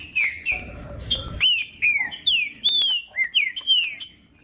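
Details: Warm-up song of a green-winged saltator for a cold caged bird: loud, clear whistled notes arching up then gliding down, about two per second, with a brief low rumble near the start.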